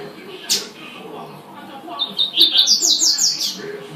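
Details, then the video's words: A double-collared seedeater's tui-tui song: after a soft click, a single phrase of clipped high notes climbs into a fast series of sharp, bright whistles lasting about a second and a half. "coleiro tuitui"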